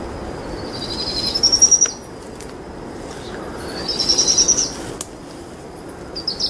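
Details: Two powerful owl chicks begging at dusk while their mother feeds them a brushtail possum: two short, high, rapidly pulsed trills about two and a half seconds apart, each lasting under a second, over a steady background hiss.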